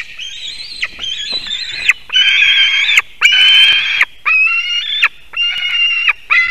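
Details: White-tailed eagle eaglet at a nest atop an old spruce in Durbe Municipality, Kurzeme, Latvia, screaming in the early morning of 18 July 2023 as a parent lands with fish; harsh, strained screeches about one second long, repeated almost continuously with short gaps.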